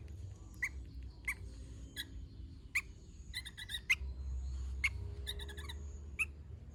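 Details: Sooty-headed bulbul in chatty gacor singing, giving short, sharp chirps spaced irregularly, some in rapid clusters of three or four, against a soft low hum and a faint high steady whine.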